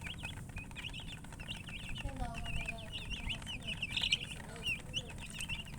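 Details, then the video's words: Chicken chirping: dense, continuous high peeping notes, many rising and falling, overlapping one another, with a few lower whistled tones near the middle and a constant low background rumble. "silly chicken chirping sounds"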